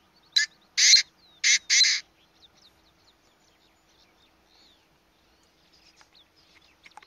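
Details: Wild Painted Francolin calling near Saswad, Pune, India, in September 2019, recorded handheld: four loud, harsh, rasping notes in a short-long-short-long pattern within two seconds, followed by faint high chirps from other small birds.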